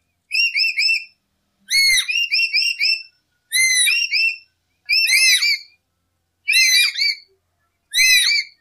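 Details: Lory song recorded for luring birds: six regular phrases, each a short run of bright looping whistles, repeated roughly every one and a half seconds against a quiet background.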